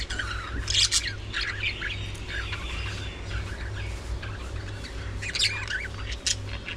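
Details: Budgerigars at early morning feeding time, a busy flock giving overlapping high chirps and warbling chatter in bursts, loudest near the start and again toward the end, over a steady low hum.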